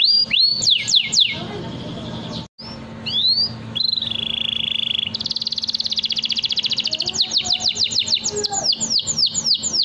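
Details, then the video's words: Canary singing a long 'nembak' style song for tutoring young canaries: a few high downward-sweeping notes, a brief pause, a drawn-out buzzy tone, then a long fast rolling trill breaking into rapid falling whistles. "SUARA KENARI NEMBAK PANJANG, cocok buat #pancingankenari muda"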